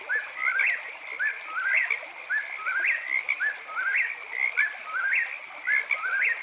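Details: At night by a camping spot, an eastern whip-poor-will repeats its whistled three-syllable phrase roughly every second, the last note sweeping upward, with chirping frogs droning steadily behind.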